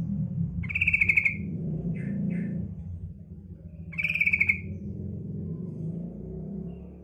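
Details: A female sooty-headed bulbul gives her male-luring call: two grating, pulsed chatters about three seconds apart, with a couple of short softer notes between them, over steady low rumbling background noise.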